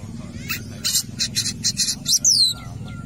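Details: Long-tailed shrike singing at a football field: a run of short scratchy chattering bursts followed by a clear, sharply descending whistled note, over steady low background noise.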